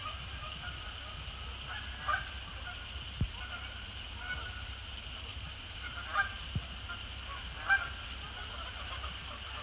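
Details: Post-sunset flight of resident and migratory Canada geese splashing down on Sapsucker Woods Pond, 2 December 2017; distinct honks in small bursts several seconds apart, over a constant high hum, faint low rumble and a sharp click.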